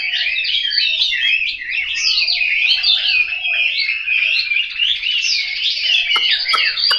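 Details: Chinese hwamei kept at home in Hanoi, pouring out a continuous, loud, fast song of tumbling whistles and slurred notes with hardly a pause, ending with a few sharp clicks.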